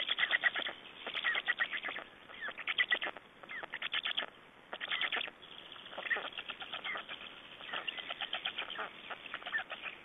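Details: Black storks at their Estonian nest on 3 June 2011, exchanging and feeding: rhythmic raspy pulse series repeat in clusters roughly every second or two. They are uneven in loudness, with harsh bursts near four and five seconds.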